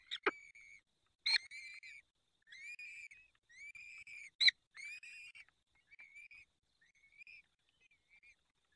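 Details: Peregrine falcons at a nest in Poland's Barycz Valley, evening feeding on 23 April 2020. Loud, drawn-out, whining whistles with bright overtones, repeated at irregular gaps with a few sharp clicks.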